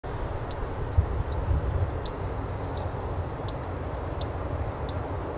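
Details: White-throated sparrow (Zonotrichia albicollis), chip call.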